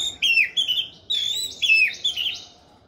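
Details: Orange-headed thrush singing gacor: clear, loud whistled phrases that slide up and down, delivered in four or five quick connected bursts.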